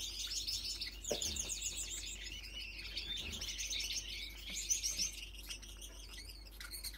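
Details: Young single factor yellow male Gouldian finch, split blue, sings to attract females: thin, high, buzzy song of rapid chirps and hisses over steady twittering from other small finches nearby.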